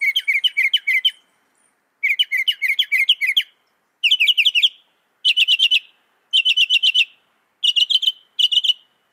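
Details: Northern mockingbird singing a mimicked medley: repeated bursts of fast trilled, chattering notes near mid-high pitch, each phrase about a second long, repeated in groups with short pauses; no other sounds.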